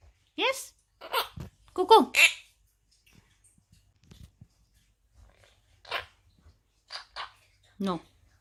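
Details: A male pet monk (Quaker) parakeet says his own name in short, raspy, speech-like bursts, imitating words in a high, strained voice.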